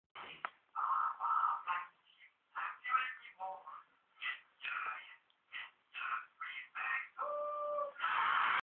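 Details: A parrot sings the nursery rhyme "Baa Baa Black Sheep" in a raspy, voice-like tone: about a dozen short syllables in uneven bursts, some held as clear notes, in a quiet room.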